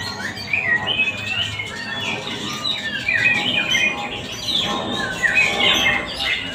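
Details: Caged white-rumped shamas (murai batu), junior class, at a singing competition field in Palembang: overlapping bright whistled phrases and quick chattering notes sliding up and down, a dense continuous chorus with faint crowd murmur beneath.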